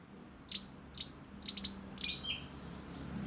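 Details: Sunbird (burung mantenan) singing for song training in roll nembak style: quiet sharp high chips, single and in triplets, about every half second, trailing into a soft warbled whistle.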